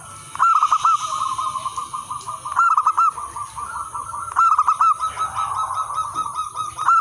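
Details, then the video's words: Lure and tutor singing from local natural zebra doves: rapid rolling phrases of short clear notes recur roughly every two seconds, separated by softer continuous coos from other birds, over a constant high hiss. "perkutut lokal alam gacor manggung spesial pancingan dan masteran semua jenis perkutut"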